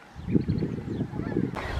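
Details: Glossy ibis giving low, hoarse grunting croaks in a few short bursts, with faint higher bird chatter behind and an abrupt cut near the end.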